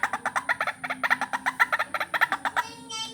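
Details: White-breasted waterhen calling for lure training, a steady stream of loud, raspy double-pulsed notes repeated several times a second, ending with a brief higher tonal sound.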